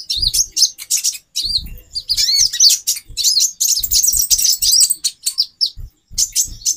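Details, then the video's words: Rapid, piercing twitters and short chirps from a female konin, a sunbird used to arouse a male's breeding drive; notes come in clustered bursts with brief gaps and low thuds. "Burung Konin Betina 4x terapi birahi. menaikan birahi jantan"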